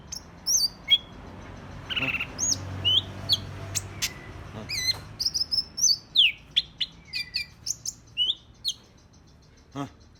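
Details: Agitated green leafbird (cicak ijo) sings a lively stream of high whistled slurs, chips and short rasps, about 160 notes a minute, fairly irregular, with soft low hum.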